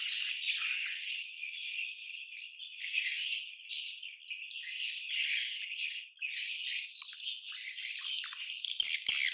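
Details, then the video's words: Massed swiftlets in a colony, continuous high chittering and buzzy twitters from many birds, rising and falling in waves, ending with a few sharp clicks. "SUARA ASLI KOLONI WALET"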